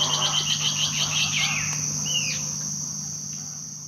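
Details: Band-tailed antbird (Hypocnemoides maculicauda), Poconé, Mato Grosso, Brazil, May 2009: a quick series of bright, high notes that speeds up and slides downward, then a single slurred whistle, over a steady insect hum.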